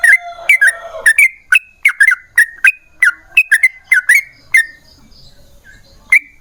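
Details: Yellow-vented bulbul in ropel panjang gacor song, a lure for other bulbuls: a quick sequence of warbling, slurred whistles for about five seconds, then a pause before one last note.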